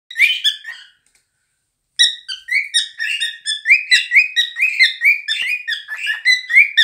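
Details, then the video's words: Two cockatiels whistle a bright, warbling song of quick rising and falling notes: a short phrase and a pause, then steady chattering whistles throughout. "Nymphensittiche singen"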